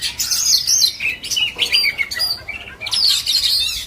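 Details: Kept Oriental magpie-robin from Indonesian songbird hobby, giving a short burst of high, scratchy and whistled notes with quick slurs and harsh chirps, in brief separated phrases.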